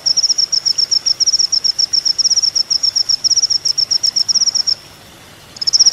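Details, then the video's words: Olive-backed Sunbird (kolibri ninja), a master recording for teaching songbirds: steady rapid high-pitched chipping at about four notes per second, then a short pause and another burst. "masteran mewah full isian kolibri ninja"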